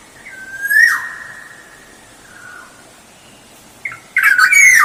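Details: Lure recording of a lively black-naped oriole: a long level fluty whistle ending in a rough upswept note, a soft low phrase after a pause, then a loud harsh rasping whistle at the end.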